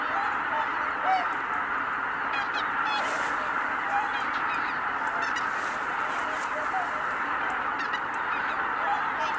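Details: A massed flock of Greater white-fronted geese lifting off at once from Kabukuri-numa marsh in January 2019. There is an unbroken wall of overlapping honks, and a few clearer high yelping calls stand out from the din.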